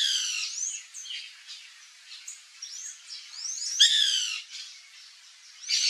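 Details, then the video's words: White woodpecker calling in a backyard with fruit trees, harsh nasal chattering notes and upswept squeaky calls in irregular bursts, loudest near the middle, with other high notes around. "CANTO do PICA-PAU-BRANCO (MELANERPES CANDIDUS), WHITE WOODPECKER"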